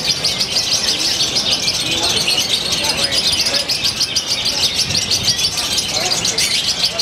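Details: Indonesian lovebird from Purwakarta in a new style with tight pauses, pouring out a fast, nonstop, high-pitched trill of sharp repeated chips, with faint voices and ambient noise below.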